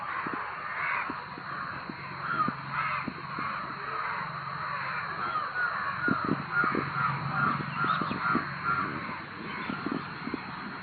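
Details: Crowd of crows calling loudly, rough cawing voices overlapping steadily, with occasional louder bursts and light tapping sounds underneath.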